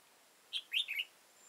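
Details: Red-whiskered bulbul, an old wild bird with a high crest and deep bib, trapped using a decoy on 15 October 2018, gives a short lively phrase: a clipped note, then a rising-falling warble and a final twist.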